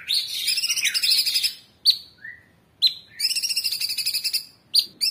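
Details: Master-training recording of a caged Orange-bellied Leafbird: two long high rattling trills, each broken by single sharp chirps, with a short lower whistled note after the first trill, in gacor tembakan style.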